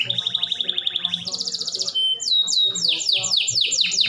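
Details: Canary singing, used to get other canaries to sing: a steady rapid trill, a higher buzzing roll, then repeated sharp descending whistles.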